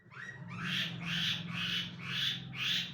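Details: Long-tailed shrike, named by its Indonesian names pentet and cendet, giving five harsh, rising notes at a steady pace of about two per second, each a loud burst over a low background hum.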